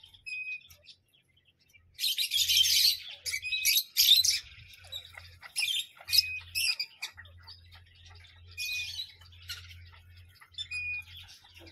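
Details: Parrot, after two quiet seconds, bursts into loud rasping screeches in clustered groups, with brief thin whistles between, over a faint intermittent low hum.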